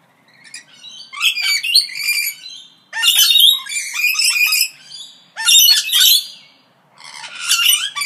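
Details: Parrots chattering in bursts of scratchy, buzzy squawks mixed with clicks, four dense volleys separated by brief pauses.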